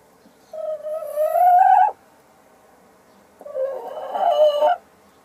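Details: Sussex hen laying an egg gives two long, harsh squawks that rise in pitch toward their ends, separated by a pause of about a second and a half, with quiet surroundings.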